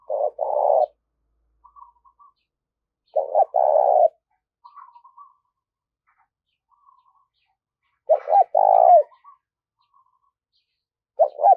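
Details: Decoy spotted dove calling to bring in others. Low purring coo phrases at irregular intervals, separated by quiet gaps and faint thin chirping.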